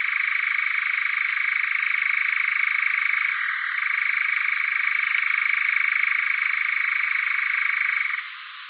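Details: European nightjar (Caprimulgus europaeus), churring song.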